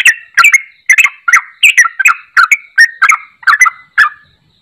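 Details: Yellow-vented bulbul calling, played to make a silent bulbul sing again: eleven short, rich, chortling notes repeated about every 0.4 seconds in a steady, even series, clean with no other sounds.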